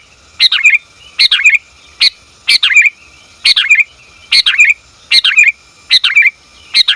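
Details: Female sooty-headed bulbul summoning the male, a call used in bulbul training and trapping; eight regular chirpy bursts in seven seconds, each a short stuttered phrase with a falling twitter at the end, clean recording.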